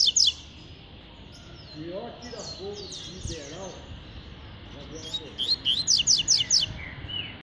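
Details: Fast, vigorous tui-tui song of a double-collared seedeater: brief high notes, a pause with soft chirps, then a rapid string of sharp repeated high notes.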